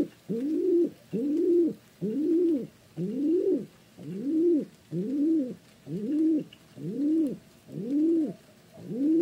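A pigeon gives low, soft arching coos, about one per second in a steady run of ten, each rising then falling; nothing else is heard.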